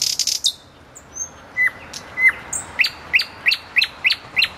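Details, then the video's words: Common nightingale by a road: a short buzzy start, soft high whistles and two dropping notes, then six loud, evenly repeated rising notes. "соловей у дороги Luscinia megarhynchos"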